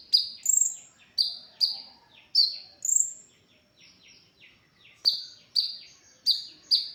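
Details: ['Brown-throated sunbird, song used as a training recording for other songbirds: clipped high chirps with a sharper upper note, a quiet gap of soft twittering, then a fresh run of chirps.']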